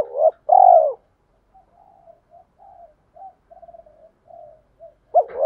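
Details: Spotted dove decoy cooing in gọi and thúc styles to rouse newly caught doves: a strong arched coo and a long rolling one, then a string of faint soft low notes before another loud coo.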